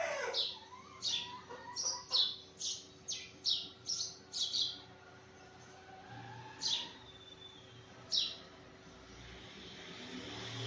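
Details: Sparrows chirp in the morning in a quick run of about ten bright, repeated chirps. After that, only a few spaced calls follow over a background hiss.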